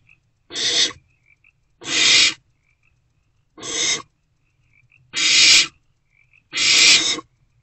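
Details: Owl box at night, 16 March 2024: an owlet handling a freshly delivered rodent gives five separate breathy, rasping hisses spaced one to two seconds apart, with faint soft chirps between them.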